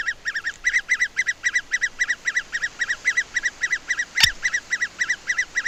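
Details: In June in English broad-leaved woodland, an adult great spotted woodpecker calls while trying to feed its young: a steady, rapid chatter of nasal, slightly buzzy notes, about four each second, with one sharp click partway through.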